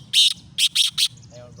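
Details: Black francolin calling in Khushab: four harsh, buzzy grating notes in quick succession, the third and fourth closely spaced, with faint low rumble and a brief tonal squeak afterwards.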